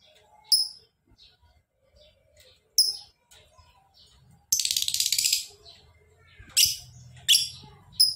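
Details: Lovebird uttering isolated sharp chirps, then a rapid chattering ngekek trill of about one and a half seconds, followed by more piercing chirps; low hum in the background.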